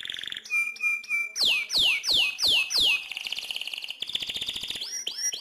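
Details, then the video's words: A lively canary sings a fast, varied song: a dry rattle, short level whistles, five loud descending swoops, then rapid buzzy trills and rising notes. "Kenari paling gacor lincah"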